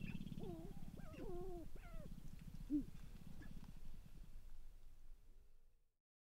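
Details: Male sharp-tailed grouse competing on a spring lek in Namekagon Barrens, Wisconsin: several swooping, whining hoots that rise and fall, over a low pulsing drum, then the sound fades out.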